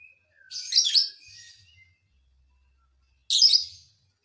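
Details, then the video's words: Lovebird song meant to rile other lovebirds: a raspy, buzzy chatter burst with a softer tail, a pause of about two seconds, then another short harsh burst. "dijamin burung Lovebird lain emosi"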